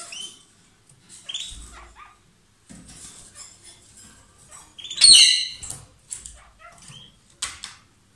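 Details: A pair of lovebirds singing loudly, with scattered high chirps and a sharp, loud squawking burst near the middle followed by a few quieter twitters.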